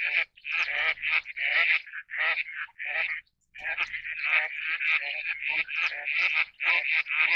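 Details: Eastern spot-billed duck giving a long series of rapid, rasping quacks, some run together and others clipped short, with one brief pause midway and no other sounds in the background.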